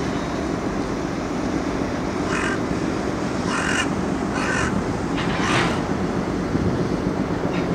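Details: A carrion crow playing with a walnut gives four rough caws at irregular intervals, partly masked by loud continuous rumbling noise.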